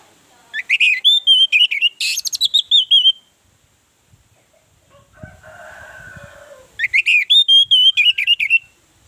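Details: Orange-headed thrush song played as a lure to prompt other birds to sing: rapid runs of rich, warbled whistles with sharp chirps, then a quieter pause with a faint low hum before another loud warbling burst.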